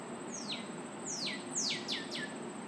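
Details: Song of a northern cardinal: five loud, steeply falling whistled notes. The first stands apart, then the rest come in a quickening series. A steady faint high tone and soft low hum run beneath.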